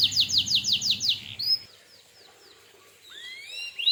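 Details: Canary song played as a lure to make other canaries answer: a quick run of high clipped notes, then a pause and scattered soft whistled slurs.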